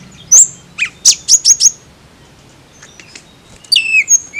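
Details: Tledekan, a blue flycatcher, with brief high whistled and sharp chirped notes in a quick burst, a pause, then falling slurred whistles near the end, against a quiet background.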